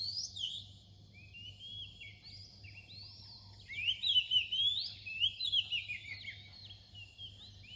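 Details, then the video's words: Oriental magpie-robin singing close to daybreak: a continuous flow of melodious whistles, soft at first, then a louder rapid burst of sliding notes in the second half; low hum persists throughout. "เสียงนกกางเขนบ้าน ตอนใกล้รุ่ง"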